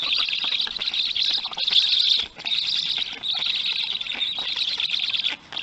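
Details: Black storks at a nest in Poland, 2:00 p.m., 27 June 2020, as an adult returns to feed three large storklets, regurgitating small fish onto the nest: a continuous, high, hissing wheeze in long bursts with brief pauses.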